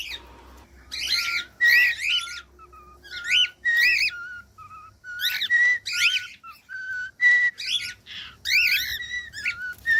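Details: Cockatiel sounds played to teach other cockatiels to sing: harsh, rasping squawks mixed with short clear whistle notes, given in irregular groups.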